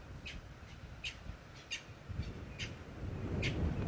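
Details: At sunrise on 18 September 2016 in the Sabi Sand, a hadeda ibis shouts in the background, five loud, harsh squawks each under a second apart, over a low rumble of wind or engine; spurfowl suspected also calling.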